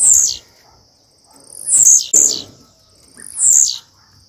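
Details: Soliciting mating, a female blue-black grassquit repeats high, squeaky, buzzy notes that slide downward, one doubled in quick succession, spaced irregularly about a second apart over a thin high hiss.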